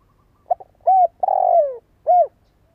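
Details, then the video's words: Spotted dove lure call, meant to prompt other doves and young birds to coo: one phrase of a short soft note, a rounded coo, a long falling drawn-out coo and a closing coo, with near silence around. "Tiếng chim cu gáy mồi cây giọng hay hạp bổi - Chim nghe là gáy"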